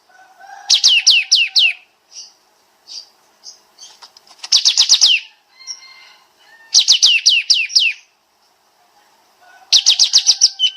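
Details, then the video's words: Kapas tembak bulbul, a master recording for training songbirds, with dense 'nembak' shooting-style song: rapid bursts of five or six sharp descending whistled notes, about four per second, repeating every three seconds, with softer chirps between. "Masteran Burung Kapas Tembak Suara Rapat Nembak Nembak"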